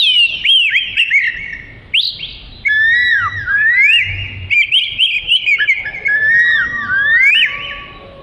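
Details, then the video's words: Melodious Oriental magpie-robin song for tutoring, from this long-tailed black-and-white songbird: phrases of swooping and rising whistles separated by short pauses, with sharp upslurred notes and fluty slides over about eight seconds. "Burung Kacer Merdu Untuk Isian"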